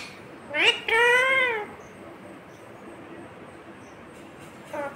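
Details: Parrot that speaks the words "mummy papa" gives a short rising squawk, then a longer wavering, voice-like note, followed by quiet and a brief final call.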